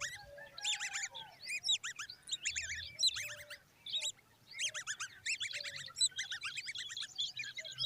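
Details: Common babbler chicks standing by their mother: dense bursts of sharp, descending chirps and squeaky notes in overlapping flurries, with brief pauses between bursts.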